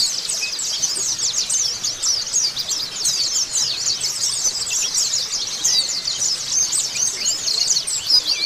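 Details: Freshly moulted white-eye in sustained song, pouring out high, sweet, jumbled chirps and quick slurred twitters in an unbroken rush that barely varies in loudness, with no other sounds standing out.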